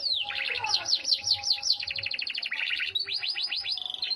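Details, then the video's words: Yorkshire canary delivering sustained song: rapid rolling trills of repeated swooping notes, roughly two and a half per second at times, changing speed between phrases, over a soft steady hum. "KICAU KENARI YORKSHIRE"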